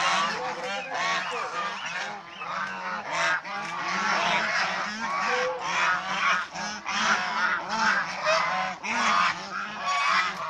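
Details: Domestic swan goose group in playing, bathing and fighting behaviour; steady, noisy chorus of short honks over ten seconds, calls stacking and overlapping with rapid irregular rhythm.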